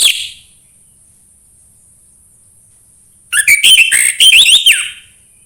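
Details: Orange-headed thrush, song used to get other birds singing: a brief opening note, three seconds of near silence with a high steady whine, then a lively rushing phrase of rising and falling whistles.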